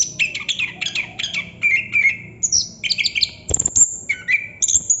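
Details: Anis kembang, the chestnut-capped thrush, singing 'ngerol' without pause: a repeated series of buzzy two-part notes, then drawn-out lower whistles, high thin notes and a loud clicking burst.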